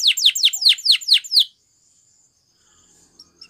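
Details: Belgian canary singing a training song for other canaries: six or seven quick, bright downward-sweeping notes over about one and a half seconds, then near silence with faint chirps.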